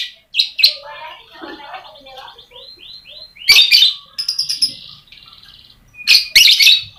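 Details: Lovebird song used as a lure to get lazy lovebirds singing: rapid high chirps and sharp clicks, buzzy rattling trills and a run of short upward whistled notes around mid-clip, with bursts of dense chattering near the end.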